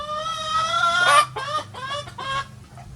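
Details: Free-ranging farm chickens of many breeds on a sunny day give loud, harmonic, drawn-out squawks. Several calls in quick succession, the strongest near the middle, then shorter nasal notes tapering off.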